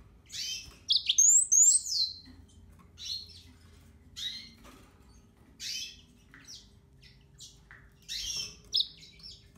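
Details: Yellow-fronted canary giving scattered bursts of song, short high chirps and slurred whistles separated by brief silences, with a soft low hum in the background.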